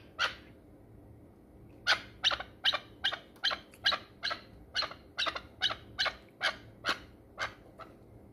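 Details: Hunting chukar partridge from the Pamir calling: after a single note, a steady run of sharp, broadband clucking notes repeated about twice per second, loud and clear over a quiet background.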